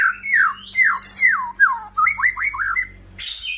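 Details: Crossbred F-series male white-rumped shama delivering a string of loud, descending whistled slurs, followed by quick up-and-down whistled phrases and an abrupt high ending note.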